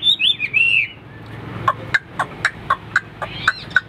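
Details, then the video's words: Caged Hwamei kept for fighting display opens with a short burst of slurred whistles. It then gives a string of short sharp clipped notes, roughly two per second. "Đẹp đấu xòe chất giọng cực hay"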